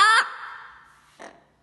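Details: A pet parrot, about 22 years old, asked repeatedly in Spanish what it thinks of the coronavirus, gives one brief, hoarse, voice-like utterance that rises slightly, then a short second sound a second later, with a man's voice around it.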